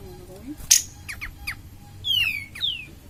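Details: Cream-vented bulbul in lively song, used as a lure to stimulate other birds: scattered short clicks and downward-slurred notes, then two clear high whistles sweeping downward, over a faint low background hum.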